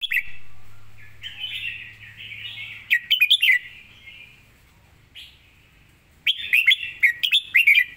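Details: Caged red-whiskered bulbul, prized for clear phrasing and a fast, crisp voice; liquid whistled phrases followed by loud bursts of rapid chirps, repeated after a quiet pause, with a faint low hum early on.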